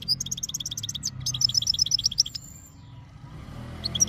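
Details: Goldfinch ready for mating, from Jijel: quick tinkling twitters and high trilled notes in two bursts with a pause between, a short phrase returning at the end, low rumbling background.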